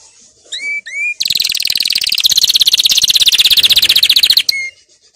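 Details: Canary training song: a few slurred whistles lead into a long, loud, rapid rattling trill lasting over three seconds, then a final whistle.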